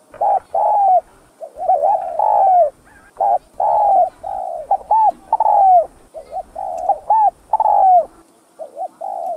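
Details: Vietnamese spotted dove giving the thúc gù cooing style, used to provoke other doves and as a trapping lure: low, mellow coos in tight bursts, some notes swelling and bending down, repeated with brief gaps throughout, with no other clear sounds.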